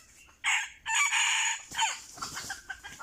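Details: Crowing red junglefowl drawn in by a decoy: one loud, rasping crow in two long phrases, the second held longest, followed by scratchy rustling and soft clucks.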